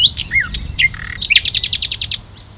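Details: Common nightingale (Luscinia megarhynchos) singing at NSG Ahsewiesen nature reserve, 1 June 2019, 11:50: varied whistles and rasping notes, then a rapid, rich series of about ten repeated chopping notes, loud and clear.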